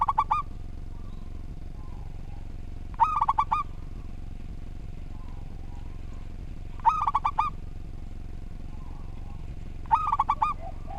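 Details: Local zebra dove (perkutut), an active singer with an orderly song, recorded for training other doves. Four staccato cooing phrases arrive at even intervals of about three and a half seconds over a faint background hum.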